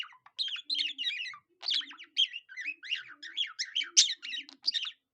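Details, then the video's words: Cockatiel-style singing from a budgie: rapid, busy warbling of buzzy chirps and looping whistled notes, tightly packed with only tiny gaps. "A budgie that sings like a cockatiel"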